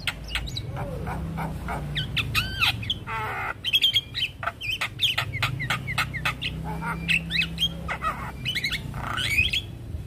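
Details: Javan myna stressed by hearing another Javan myna's call, full isian: clucking harsh notes, clicks and curling whistles in quick succession, over a low steady hum.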